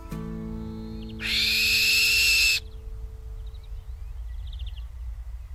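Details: A Black-winged Kite (Elanus caeruleus), usually quiet, gives its loud breeding-season call: one harsh, rasping high screech lasting over a second, with faint chirps after it and a low sustained musical tone beneath.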